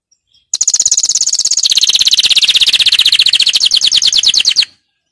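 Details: Canary singing a powerful training song: one sustained, very fast metallic trill lasting about four seconds, dropping slightly in pitch partway through.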